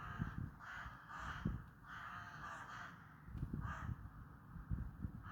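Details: Crows cawing: several harsh, rasping caws with irregular spacing over steady low rumbling background noise.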